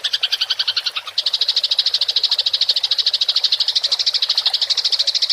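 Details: Fighting rolling chatter from a Eurasian tree sparrow, a tutoring recording for songbirds: continuous, very rapid chirps, with one short break near one second, then a steady buzzing-fast run to the end.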